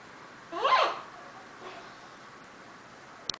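An Eclectus parrot gives one short, harsh, nasal squawk, followed by a faint softer note and a small click in a quiet room.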